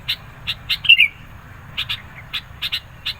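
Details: Persistent singing sooty-headed bulbul, meant to goad rivals and attract birds. Crisp high ticks in irregular pairs and singles, with one short bright warbled phrase near the start.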